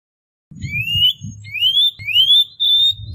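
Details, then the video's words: Cuban bullfinch (Melopyrrha nigra) sings thin, rising whistles, each sliding upward and held, repeated about three times over a low background hum. "Negrito Cubano Cantando - Cuban Bullfinch Singing"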